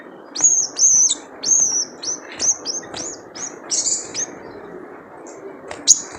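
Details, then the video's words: Wild sunbird (sogon) lure call: a rapid run of thin, very high whistled notes, some drawn out and slightly falling, others clipped, coming in uneven bursts over six seconds with low background noise. "Jrejet Cuit Suara Panggilan Khas Sogon Liar untuk pancingan sogon agar gacor"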